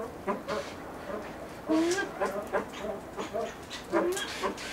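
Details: Blue eared pheasant at a breeding farm, giving soft clucks and a few longer upslurred harmonic calls over low background noise.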